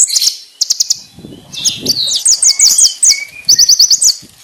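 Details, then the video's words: Konin master song for training birds: varied very high chirps and quick jumbled note clusters, brief rising and falling whistles, and a rapid stuttering series, with faint low background rustling. "MASTERAN BURUNG KONIN ISIAN MEWAH FULL TEMBAKAN TAJAM NYARING JERNIH"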